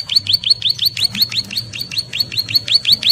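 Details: A Bar-winged prinia female in breeding condition keeps up an insistent high call to her mate. Bright notes hook upward at close intervals, nearly three each second, over a faint low background rumble.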